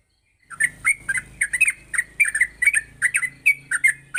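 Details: Yellow-vented bulbul recorded in the morning as training material so young bulbuls learn to sing continuously. Starts after a brief silence, then rapid, sharp chirping notes run steadily about three per second over a low mechanical hum.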